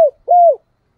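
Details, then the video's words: Spotted dove decoy bird calling to provoke rivals; one short low coo sliding down, then a longer steady hollow coo that droops at the end. "cu gay kich boi nhanh noi gù mới nhất năm 2023/ tieng cu gay kich boi nhanh noi"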